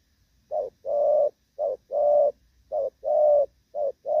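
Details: Moulting spotted dove, just after rain, coos steadily in soft, hollow pairs, a brief note then a longer drawn-out one, repeated roughly every second against a quiet background.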